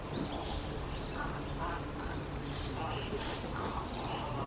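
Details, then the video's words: Fledgling crow, eyes still blue, trying out its voice in June 2020; a run of nasal, quacking, slightly rising notes about twice a second against steady low background noise. "カラス幼鳥 面白い声"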